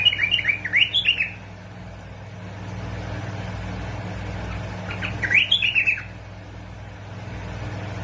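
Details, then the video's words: Bulbul of Basra and Fao, used to stimulate other bulbuls into singing. Two lively phrases of rapid whistled notes, each rising then tumbling down, about a second long and four seconds apart. Constant low hum in the background. "مقطع تحفيز طيور البلابل على التغريد"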